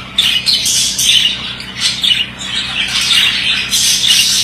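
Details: Male budgerigar chatter: squeaky chirps and rasping warbled phrases rising and falling in quick bursts, with a soft background hum.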